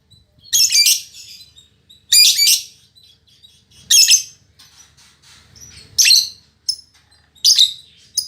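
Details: Female lovebird with a fighter temperament, very vocal, uttering harsh screechy chatter in bursts roughly every one and a half to two seconds, with faint soft twitters between.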